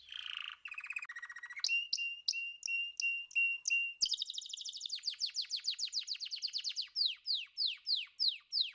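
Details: Canary song built from rapid tours of repeated high notes: a buzzy opening roll, then sharp chip series, a fast rolling trill, and finally a run of clipped descending whistles at a steady pace.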